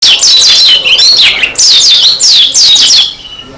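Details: Oriental white-eye of the Dakun type singing loudly and persistently, beak open: rapid high chirpy phrases, each note sliding down, in three bursts of about a second, then a faint trailing note.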